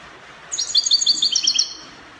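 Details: Goldfinch in Spanish copia song style, Morocco, giving one short burst of about a second of rapid, thin, metallic twittering notes, then quiet hiss.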